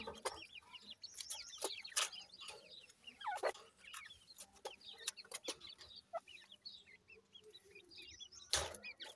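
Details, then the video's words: Young grey francolin, known locally as dakhni teetar, calling quietly: many thin, high, down-curving peeps overlapping one another, broken by occasional loud sharp taps and knocks. "grey francolin cute baby talk,dakhni teetar checks voice"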